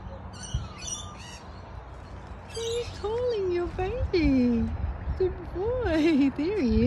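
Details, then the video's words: In the morning an Australian father kookaburra calls for his baby son with low, wavering hoots rising and falling in a building series, mixed with sharper chattering notes, while a person talks nearby. "Daddy kookaburra hoots and calls for baby son"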